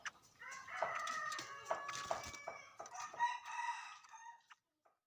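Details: A bird gives a loud, harsh crowing call of several stacked, drawn-out notes followed by a rising, strained final phrase, with a few short clucks and knocks at the start.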